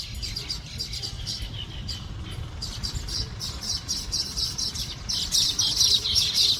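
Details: An uncaged, excited male Finn's weaver in India invites females to his nest with rapid, high-pitched chattering and sizzling notes, about four per second, growing louder near the end, over a low background rumble.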